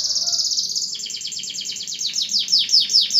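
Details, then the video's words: Canary in full 'gacor' song used to coax quiet canaries back into singing: a rapid high trill flowing into repeated downward-sweeping notes that grow louder toward the end. "KENARI GACOR AMPUH PANCING KENARI MACET BUNYI LAGI"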